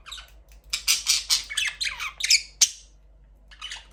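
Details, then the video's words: Budgerigars in an aviary after their first chick hatched: a quick run of loud raspy squawks and warbled notes packed into two seconds, then a brief pause and a softer call. "First budgies chick 🐣 in #aviary #birds chirping sound"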